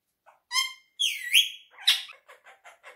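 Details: Talking quaker parrot (monk parakeet): a short low note, a clear harmonic call, a long swooping whistled phrase, a harsh squawk, then four soft evenly spaced chattering syllables.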